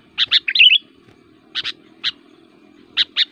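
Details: Kutilang (sooty-headed bulbul) singing an aggressive fighter song to rile other bulbuls: a quick bubbly warbled phrase followed by paired clipped chips spaced about half a second apart, over a faint low hum.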